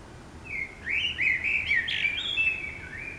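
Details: Common blackbird singing in the city in the morning: a mellow, warbled phrase of fluting notes that rises and falls, with a few higher twittering notes toward its end, over a faint low background hum.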